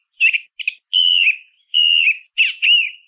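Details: Song thrush song of short warbled notes and three longer steady whistles that each drop slightly at the end, spaced under a second apart.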